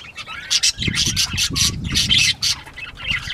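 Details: Northern bobwhite quail at play, recorded 19 April 2017, 10:13 AM; loud, harsh squawk bursts in quick succession over a low rumbling undertone.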